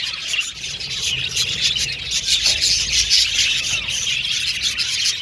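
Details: Aviary colony of budgerigars chattering together: thick, steady high-pitched twittering and scratchy squawks overlapping throughout, rising slightly in loudness toward the middle.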